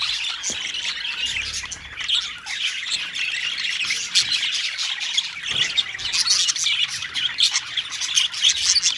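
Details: A colony of parakeets calling together: a dense, continuous wash of overlapping harsh squawks and chirps, high-pitched and unbroken for nine seconds, with louder bursts near the end.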